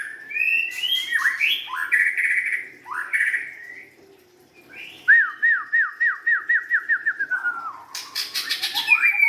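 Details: A young White-rumped shama of forest stock sings mellow swooping whistles, then a rapid string of about ten repeated downward-slurred notes ending in sharp clicks.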